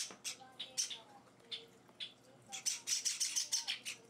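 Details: Hand-fed pet Java sparrow chicks, four days into their new home, give scattered high, harsh chirps. These turn into a quick burst of rapid squeaky calls near the end, with soft human speech in the background.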